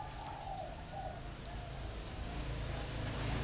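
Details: Caged spotted doves, one in a round bamboo cage and one in an iron cage, give soft low coos in a short phrase early on, over steady low engine-like hum and background noise.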